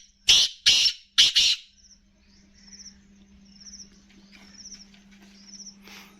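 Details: Grey francolin in the dirt with another francolin, giving three loud, rasping, explosive call bursts in quick succession, followed by soft faint squeaks and a steady low hum in the background.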